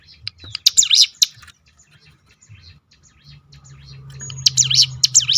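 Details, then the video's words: Ciblek gunung, a hill prinia, delivering its 'tembakan' roll, used as a lure to draw out other birds' song; brief bursts of high, swooping chirps at start and end, quieter scattered ticks between, and a low hum. "roll tembakan ciblek gunung memancing bunyi burung lain"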